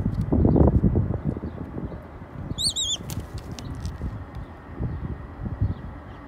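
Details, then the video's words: A wild Red-tailed hawk waits for food and begs before being given raw chicken. It gives a single high, quavering whistle midway, over steady low rumbling, rustling and knocks. "Wild Red Tailed Hawk Makes Calls and Takes Raw Chicken"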